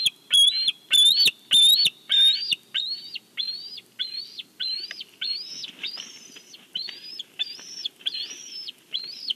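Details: Bald eagle vocalizing on its Big Bear nest as fish arrives, nest cam recording: a few loud shrill notes open, then a long steady series of thinner, rising whistled notes that gradually soften.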